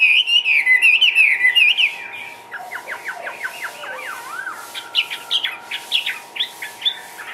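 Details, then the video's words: Caged Chinese hwamei in Vietnam singing fast wavering whistles, then a mix of short sliding notes and a few spaced sharp upslurred calls toward the end, over a faint steady hum. "HM 366 ngũ trường xòe siêu mỏ tung tăng nhảy múa"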